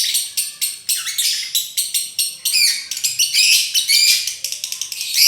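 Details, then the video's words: Lovebird delivering konslet song, a string of quick high chirps at first, then a dense harsh twittering stretch with sweeping squeaky notes, ending in short clipped bursts. "Love bird konslet"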